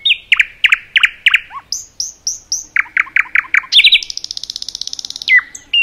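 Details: Common nightingale in a forest: emphatic repeated sharp notes in series, a group of high whistles, more loud strokes, then a fast buzzy trill and a falling whistle.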